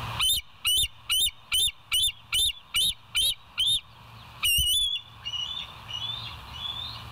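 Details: Bald eagle, West End live cam, 28 August 2023 near 7 a.m.: a long series of about ten evenly spaced, shrill, piping notes, a longer harsh note, then fainter high calls fading into background hiss.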